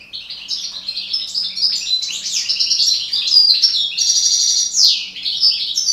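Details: Breeding pair of parva goldfinches: a fast, unbroken stream of liquid twittering, chattering notes and brief buzzes, high and bubbling throughout.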